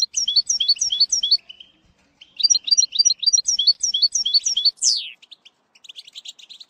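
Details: Tutoring song of a European goldfinch for a young bird, in the bitbita style: quick repeated tinkling phrases, then a fast twittering run ending in a sharp descending note, with scattered soft twitters after.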